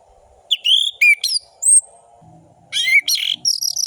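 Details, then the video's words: Orange-headed thrush song played to stir lazy birds into singing: quick loud whistled and slurred phrases, a high thin whistle, then a dense busy run of notes, with a low buzzing murmur underneath. "Anis merah gacor‼️ Pancingan anis merah malas bunyi"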